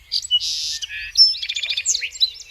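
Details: Song Sparrow sings a bright, melodious, varied song: a few clear introductory notes, a buzzy held note, then a quick rattling trill and a jumble of sweet chips.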